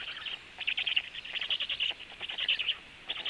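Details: Black stork at the nest, the female feeding her storklets with frogs; rapid, scratchy chirping notes repeated in quick irregular bursts at high pitch for the full stretch, with no other clear sounds.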